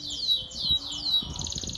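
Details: Timbrado canary (Serinus canaria) song: three high, sweeping notes sliding downward, about three a second, then a fast, rolling trill.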